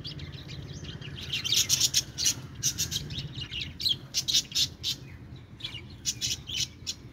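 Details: Pet budgerigars chirping: quick bursts of scratchy, high chattering notes in irregular clusters, over a steady low hum in the background.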